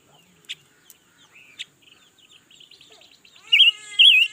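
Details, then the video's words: Newly acquired red-billed leiothrix, noted for singing all day, recorded in 2021: faint scattered chirps and ticks at first, then two loud wavering warbled phrases close together at the end. "Ngũ sắc mới hót cả ngày luôn"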